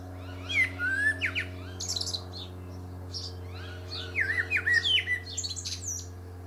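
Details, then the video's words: Common Blackbird, a male, sings from the top of a pear tree, delivering a sweet fluty warble that ends in thin scratchy squeaks, then a second similar phrase after a brief gap, with a constant low mechanical drone beneath. "Blackbird Singing"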